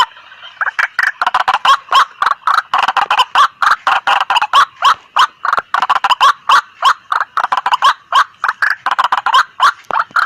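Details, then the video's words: Noisy White-breasted waterhen calls used as a hunting lure to attract other waterhens. Rapid, evenly spaced harsh croaks, about three to four per second, pulse steadily for ten seconds after a quiet start. "Suara pikat ampuh burung Ruak-ruak berisik"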